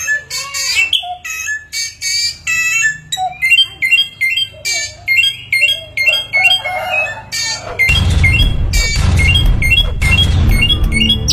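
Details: A Chinese hwamei, a mimic able to copy many sounds, pours out loud, varied whistled phrases, then settles into rapid repeated ringing notes with upturned ends; a low rushing noise joins in the last few seconds.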